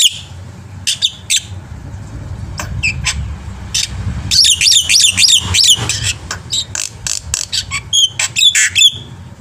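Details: Black-winged myna singing a full, rich repertoire for luring other birds to sing: scattered sharp chips, a dense burst of buzzy looping notes, then fast repeated chips and a few high slurred whistles.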